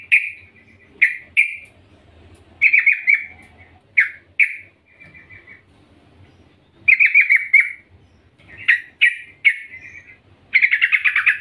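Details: A female yellow-vented bulbul calls to the male in the morning with bubbly, chattering bursts of bright notes; yellow-vented bulbul.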